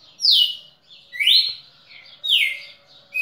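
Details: Red-cowled cardinal from Pernambuco, Brazil, recorded 10 December 2017: three rich whistled notes, the first falling steeply, the second rising, the third falling again, spaced about a second apart, plus one soft click.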